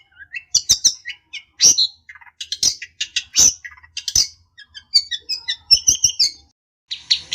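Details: Long-tailed shrike (cendet) to provoke a rival: a varied warbling medley of short whistled notes and harsh scratchy bursts, irregularly spaced with brief pauses.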